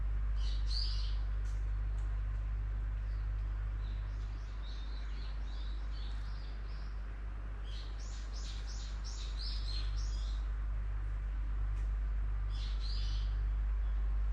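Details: Unnamed bird giving bursts of short high chirps in clusters, with pauses between groups, over a steady low hum of background noise.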